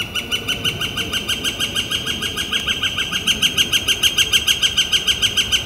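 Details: A Northern Flicker on a warm, clear day, 28 April 2014, gives a long, steady series of loud, ringing kek notes, about five per second and evenly spaced, with faint background hiss.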